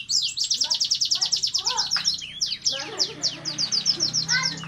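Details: A red siskin in breeding condition sings a fast, high twittering song of rapid repeated chips and buzzy trills, with a few lower rasping notes mixed in.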